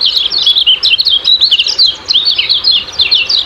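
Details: Ciak-ciak style song of the kecial kuning, meant as a lure for caged birds: quick bursts of high, thin chirping notes tumble in short phrases, with a brief pause midway.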